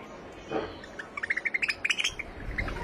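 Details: A white finch gives a rapid run of about a dozen short, high chirping notes over a second, with a faint background hiss.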